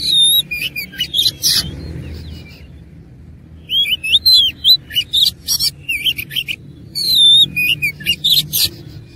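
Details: Oriental magpie-robin in full fighting song, loud bursts of whistled slurs and harsh buzzy notes in two phrases separated by a quiet pause, each phrase mixing pure rising whistles with rasping chatter.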